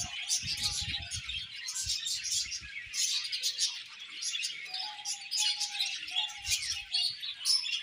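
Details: Budgerigars during pairing chatter nonstop in high, twittering bursts, with a few short tonal whistles and brief low rustles between phrases.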